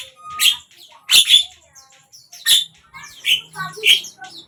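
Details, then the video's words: Javan myna singing at one of the morning, midday or evening sessions: a few separated harsh, rasping bursts with brief whistled notes, spaced irregularly over quiet pauses. "Jalak kebo ,pagi, siang,sore"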